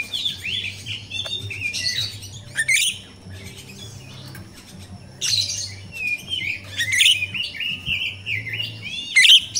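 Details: Wild jalak rio-rio myna song used to prompt caged birds to sing: rapid runs of sharp chirps, squeaky whistles and rasping notes, broken by short pauses, with a constant low background hum.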